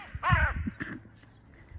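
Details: Crow coming to a feeder, among several crows said to have different personalities, gives one loud, hoarse caw that arches slightly in pitch, then a weaker second note, with low rumbling and handling sounds around it.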